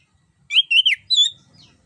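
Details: Rolling, fluent song of an orange-headed thrush, used to lure a quiet bird into singing: a short run of two or three linked, wavering whistles, then a brighter, higher whistled note.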